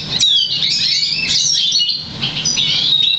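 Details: Crested variegated black siskin × Russian canary mule, bred 2009, sings goldfinch-style notes: brief burst of sharp high chirps and slurred twitters, with a faint low hum behind.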